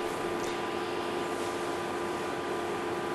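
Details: Only a steady broadband hiss with a low mechanical hum, like air conditioning in a small room, is heard, with no animal sounds.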